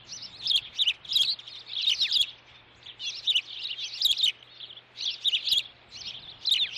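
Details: Young osprey asserting dominance over a sibling on a Montana nest at Dunrovin, June 2013, while the mother arrives with a stick: bursts of piercing, high, squeaky chirps in runs of several notes, separated by short pauses.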